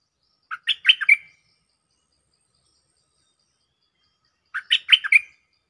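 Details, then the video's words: Cream-vented bulbul calling a mate on a lure recording: two identical bursts of quick, scratchy chattering notes ending in a brief whistled slur, about four seconds apart, with silence between. "เสียงต่อนกดอกแตงEp.146 จ้าวขันเงินเรียกคู่!! Suara pikat merbah lekir gacor"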